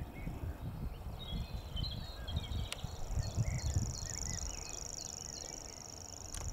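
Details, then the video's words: Grasshopper warbler reeling in Totteridge Valley on 6 May 2017: a steady, high, insect-like reel running unbroken through the second half, over scattered chirps from other birds and a low rumble of wind. "Grasshopper Warbler Reeling"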